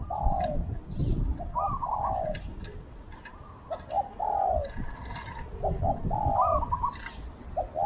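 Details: Spotted dove kept as a decoy for luring wild doves, repeating short coo phrases with a longer falling final note. More than one dove may be calling, over low rumbling background noise and faint chirps.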